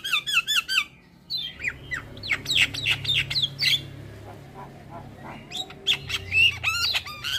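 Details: Starling vocalising for bird-training purposes: fast looping whistled notes, then scattered squawks and sharp chips over a low hum, ending with a renewed burst of bright whistles.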